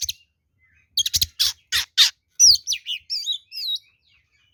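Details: An oriental magpie-robin in full fighting song, meant as a lure that provokes rivals to reply: a run of harsh, scratchy buzzes followed by fast, sweeping whistled notes that rise and fall, all high-pitched and loud.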